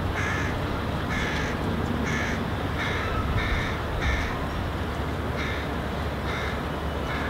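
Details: Hooded crow fledgling on the ground, vocalizing and gesturing at its parent as the adult eats nearby. Harsh, nasal caws repeat about once a second, seven in a row, over a steady low rumble of background noise.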